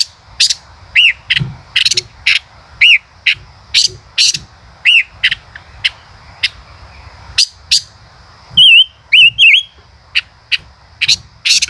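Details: Male common rosefinch singing "chế cựa hai" style: rapid dry clicks and ticks repeated steadily, broken by arched whistled notes at intervals and a pair of wavering whistles near the end.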